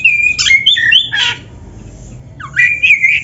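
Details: Kacer (oriental magpie-robin) in vigorous song used to train caged birds: loud whistled phrases with buzzy bursts, a pause, then a rising whistle leading into a wavering, sustained phrase, with a low background hum.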